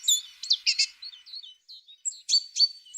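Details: Singing tit giving high, thin chirps and short whistled slurs, some buzzy, delivered in uneven quick bursts over three seconds.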